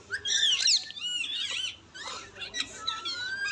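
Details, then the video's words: A pet Indian ringneck (rose-ringed) parakeet talks naturally, chattering in quick, high, squeaky bursts that mix whistled notes with raspy, speech-like syllables. "Indian ringneck parrot 🦜 natural talk"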